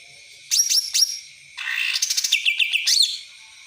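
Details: Cucak ranting, a caged songbird, giving bright high chirps in two short bursts, then a fast rattling run of sharp notes and quick upward-swept whistles lasting about a second and a half.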